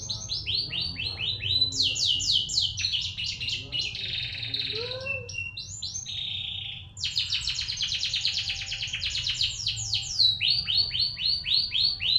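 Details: Canary song used as a lure to make a caged canary sing energetically: fast repeated high chirps run into long rolling trills and buzzy passages, with a few low descending whistles in the middle, continuous and loud throughout.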